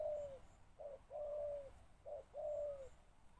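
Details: Spotted dove used as a decoy, calling to lure wild birds: soft, mellow coos at mid-low pitch, short clipped notes alternating with longer drawn-out coos that slide slightly downward, about three phrases in three seconds, faint background hiss.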